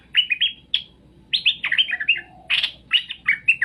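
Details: Straw-headed bulbul song meant to make birds respond: bright, gurgling whistled notes in short clusters, descending and bubbling, with a brief harsh burst midway and a faint low hum beneath.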